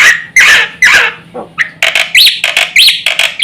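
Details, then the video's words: Black-winged myna song meant to set other mynas calling: a few harsh rasping squawks, then a fast series of chattering bursts with short upswept whistles, loud and close, over a steady low hum. "suara jalak putih gacor full isian sekali pancing semua burung jalak ribut gacor"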